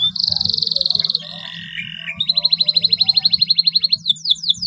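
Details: Canary song played to coax silent canaries into singing: a fast pulsing high trill, a lower buzzy trill, then a long even rattle of quick repeated notes at about four per second, ending in rapid chips, with a low hum beneath.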